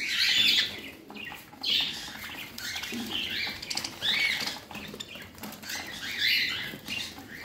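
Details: Pet parrot giving a rapid series of bright, chirpy calls, scattered in short bursts with brief pauses, over a faint background hiss and some rustling.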